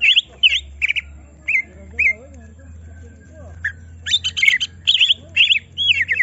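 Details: Caged greater green leafbird, provoked to show its full song, gives looping whistled notes with a few gaps, then a burst of dense high chirps and slurred whistles; a low steady hum underneath.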